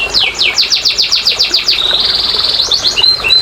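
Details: Canary song played as therapy for quiet canaries: a row of about a dozen steep falling whistles, then a fine rapid trill and a few clear short whistled notes.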